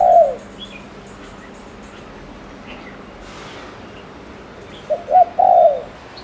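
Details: Ninh Thuận lure spotted dove from Vietnam cooing to provoke males: a coo fading out at the start, a long quiet stretch with faint background sounds, then a fresh phrase of short notes and a falling coo.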